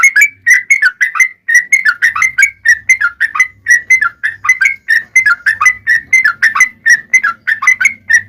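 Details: Long, unbroken yellow-vented bulbul song played to make other bulbuls sing. A fast, cheerful torrent of warbling, slurred whistles runs almost without a break, with a soft low hum underneath.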